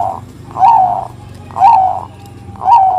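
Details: Bangkok zebra dove, a lure bird used to prompt young doves to sing, in the 'ngerot kuwor kuwor' style: husky, rolling coo notes about half a second long, repeated roughly once a second, over a low steady hum.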